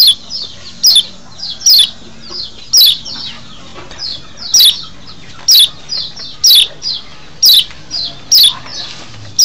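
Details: Lure call of the kecial lombok, a white-eye from Lombok, meant to excite wild birds in breeding condition: piercing descending chirps at irregular intervals roughly every second, separated by quieter rapid twitters.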